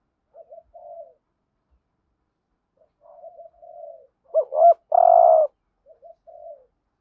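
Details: Caged spotted dove used as a lure, full urging coo set in the hap boi voice: scattered soft coos, a pause, then a sharp looping double note and a loud extended coo, with faint coos trailing.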